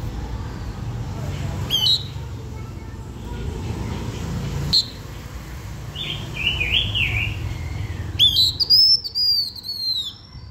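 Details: Blue-winged minla lure song used to draw other birds: a few thin high whistles, then a wavering, warbled phrase and a bright descending whistled run near the end, over steady low rumbling traffic noise.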